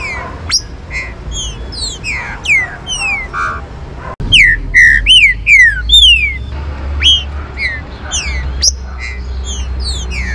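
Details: Trinca-ferro (green-winged saltator) warm-up song: rapid series of loud, slurred whistles sweeping down in pitch, several voices overlapping, growing louder and denser after a sudden break midway, with low background rumble.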